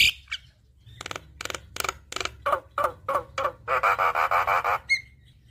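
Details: Javan myna with lively, phrase-filled singing, meant to stimulate a bird that is reluctant to sing. A steady series of harsh chacking notes about three per second builds into a long rasping grating burst, ending on a short whistle.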